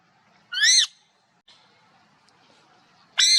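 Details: Parrot natural live voice: two loud harsh arched squawks, one near the start and one at the end, with a faint short note between them and quiet background.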